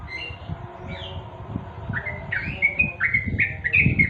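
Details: Natural twilight song of a yellow-vented bulbul, heard as short chirpy whistled notes that grow louder and quicker toward the end, over a low rumbling background.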